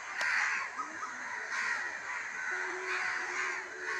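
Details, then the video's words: Crows calling in a village at evening, a dense chorus of raspy caws with a low hum running through the second half. "sound of birds #crow"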